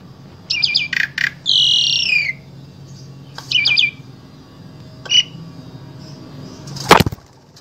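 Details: An Asian pied starling from Wonosobo, Central Java, Indonesia, sings a jumbled run of buzzy, ringing chirps and one long slurred whistle falling in pitch, then a sharp crack near the end over a low hum.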